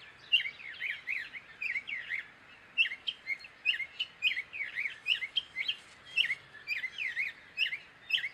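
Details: Gray catbird pouring out a continuous string of quick squeaky up-and-down notes, each phrase short and varied, barely pausing over eight seconds.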